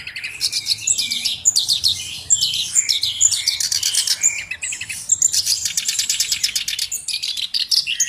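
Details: Black-browed reed warbler singing energetically, prized for its unique voice as a song tutor. A loud, dense stream of harsh high chattering and buzzy trills, with brief dips between bursts.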